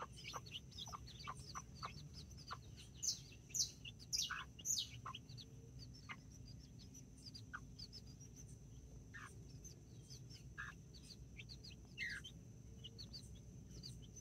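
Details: Nine chicks with two mother hens, backyard flock in Colombia, 24 October 2024, as the rooster checks on the babies. Quick high peeps repeat almost twice a second, with a louder burst after three seconds.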